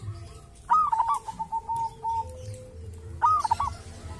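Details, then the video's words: Wild local zebra dove at a sacred tomb, said to sound distinctive: a phrase opening with a high note, then a run of evenly spaced soft coos, and a second clipped phrase after a pause. "perkutut lokal dari MAKAM KERAMAT ‼️punya suara cirihas tersendiri"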